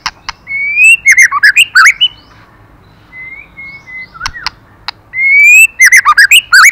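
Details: Female white-rumped shama singing to stimulate the male: a long rising whistle followed by a rapid burst of sharp, varied notes, a pause with a faint whistle, then another rising whistle and a chattering run.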